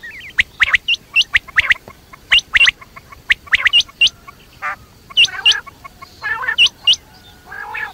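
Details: Quail night call: a rapid series of sharp, clipped, upward-flicking whistles, often in pairs, mixed with a few harsh raspy and buzzy notes. A steady faint background hiss runs throughout.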